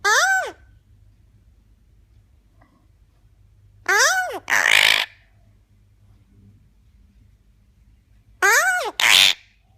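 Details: Eclectus parrot talking, repeating the same short two-syllable phrase three times about four seconds apart. Each phrase has an arched, tonal, voice-like note followed by a harsh, breathy one, with near silence between.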